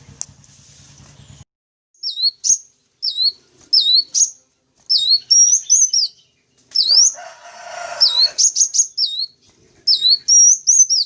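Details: High thin sunbird chirps used as a lure: short downward-hooked notes given singly and in pairs, then faster clusters, with a brief rushing noise partway through and otherwise clean silence between calls.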